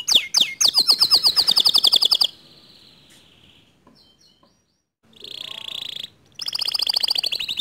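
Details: Canary song intended to rouse a silent canary: a few sharp chips lead into a fast ringing trill, then a pause and more high rattling trills.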